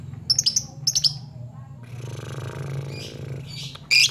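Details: Lovebird giving challenge calls to rivals: two quick clusters of sharp, high chirps, then a pause with a faint murmur and a final loud shrill note.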